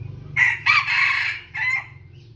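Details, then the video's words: Red junglefowl crow from a young male decoy bird, one of three. A loud, hoarse crow breaks into three clipped bursts. A short gap separates the second and third, and the last fades quickly. Low background hum throughout. "ไก่ต่อ ໄກ່ຕໍ່ ສາມບ່າວນ້ອຍກຳລັງຫ້າວ"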